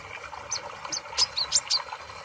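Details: Sunbird known locally as kolibri ninja, in a recording meant to prompt a quiet bird to sing: a series of sharp, high chipping notes, about six in two seconds, quickening toward the end against faint hiss.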